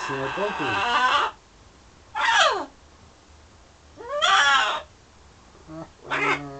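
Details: Indoor pet parrot in London flirting at a mirror and with birds beyond the window: four loud, harmonic calls, some sliding steeply down, others sweeping upward, separated by pauses of about a second.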